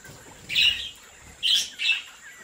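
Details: Bred budgerigars give three clear, sharp chirps: one longer note, then a quick pair about a second later, over quiet background noise.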